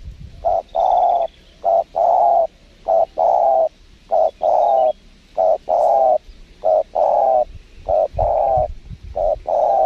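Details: Repeated cooing of spotted dove during trapping with a lure bird at a windy site: about eight phrases, each a quick stuttered double note followed by a longer, slightly falling mellow coo, spaced about a second apart, with faint wind.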